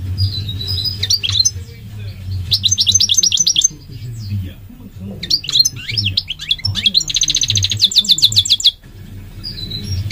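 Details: Migratory goldfinch singing a rapid twittering song of high tinkling notes, slurred whistles and a buzzy, rattling trill, with short pauses between phrases; a low steady hum and faint voice underneath.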